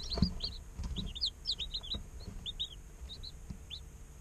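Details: Young chicks only a day old give quick, high, downward-slurred peeps, several per second from more than one bird, over a steady low hum with occasional light tapping sounds.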